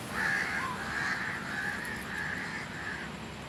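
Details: Crow giving a drawn-out, hoarse, steady call lasting about three seconds, with a faint low hum behind it.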